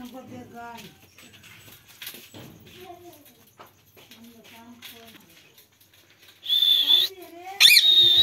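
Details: Village parrot in India swinging on a swing; soft, low, voice-like murmurs for several seconds, then loud, harsh, high-pitched squawks near the end, one sliding upward.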